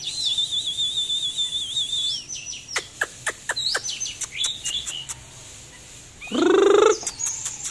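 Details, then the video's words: Oriental magpie-robin singing in display: a long wavering whistle, then a series of dry clicks and bright warbled notes, followed by a loud descending nasal note and a closing high whistle. "chòe than múa hót"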